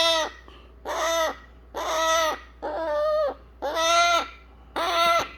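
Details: Eclectus parrot baby pleading to be cuddled after baby food, producing evenly spaced, nasal, moaning cries, about one per second, each slightly falling at the end.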